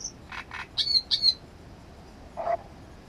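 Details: A great reed warbler gives loud, rasping croaks followed by two sharp, ringing higher notes, then a pause and a lower gruff note, with a quiet background.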